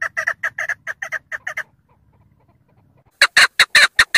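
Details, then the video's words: A female chukar gives a fast series of harsh, clucking chuck notes, about a dozen in a second and a half, then a brief pause and another louder burst. "Female Chakor voices // female chukar sounds // female chakor ki awaaz // голос кеклика // صوت الحجل"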